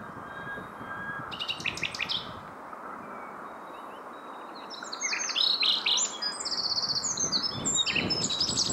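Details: Common nightingale among three singing birds around 7 in the evening between Hoek van Holland and Scheveningen: a rapid stuttering burst of repeated notes, a pause, then loud varied phrases of pure whistles and fast trills over faint low noise.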